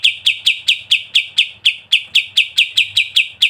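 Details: Sooty-headed bulbul, kapas tembak, in a birdkeepers' training recording: rapid series of sharp chirps repeated about four times per second, each a bright descending note, steady and regular throughout.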